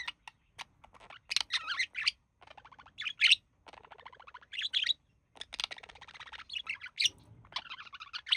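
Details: Pet male budgie relaxing with its mate, mimicking human speech; loud bursts of scratchy chatter and squeaky high notes separated by short gaps, with softer buzzy murmuring between.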